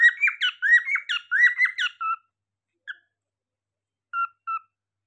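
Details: Cockatiel giving a rapid run of bright, warbling chirps with rising and falling notes, then a few isolated short whistled calls after a pause.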